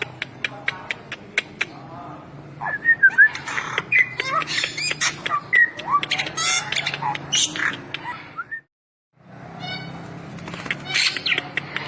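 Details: Bali myna singing a varied medley of sharp clicks, squeaky whistles and raspy chatter, broken by a brief silence before resuming.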